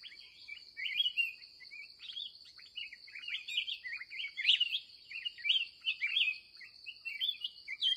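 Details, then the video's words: Fired-up wild red-whiskered bulbul at end of day during trapping: an almost continuous run of rapid, jumbled chirping and warbling phrases, loud and busy, against a steady shrill insect hum. "kèo cuối ngày gặp bổi xung"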